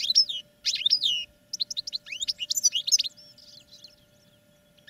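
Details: European goldfinches singing in cages as part of training, a dense liquid twitter of fast chirps and downslurred notes in continuous bursts for three seconds, then fading to soft scattered calls; faint steady hum throughout.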